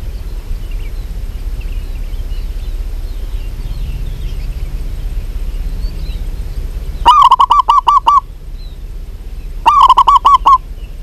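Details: Local zebra dove singing lively: two bursts of quick, evenly spaced staccato coos, each run lasting about a second, separated by a pause, over a steady low background hum.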